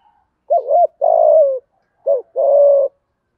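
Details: Spotted dove coo meant to get decoy doves cooing fast: two phrases, each a wavering rounded note followed by a longer steady throaty coo, about a second apart, clean and quiet behind.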